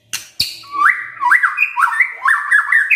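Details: White-rumped shama in full varied song: two sharp clicks, then a rapid chain of stepped, rising and falling whistled notes.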